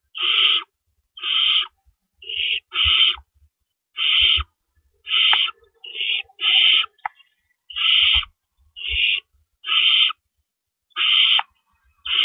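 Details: Owls at the nest in darkness on April 4, 2012, as rabbits are delivered and removed; a long series of about fourteen harsh screechy hisses, mostly a second apart, some overlapping, with scattered clicks and knocks.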